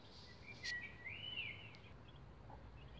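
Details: Eleven-day-old bantam Rhode Island Red chicks on a chicken ladder: one long, high, slightly rising then falling whistled peep, followed by a couple of fainter chirps against a steady low hum.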